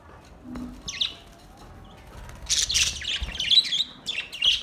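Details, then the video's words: Relaxed budgies: an isolated chirp, a short pause, then a loud busy burst of buzzy warbling and squeaky chirps building toward the end. "Beautiful budgies relaxing song beautiful sinning and sound"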